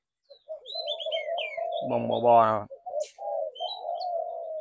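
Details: Low spotted dove coos with high chirps from other birds, interrupted midway by a loud burst of voice or music.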